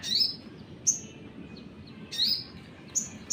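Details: Sunbird (sogon) singing a long 'nembak' lure song meant to provoke other birds: sharp, very high chirps, some sliding down from a high start, in short bursts about a second apart over a faint low hum.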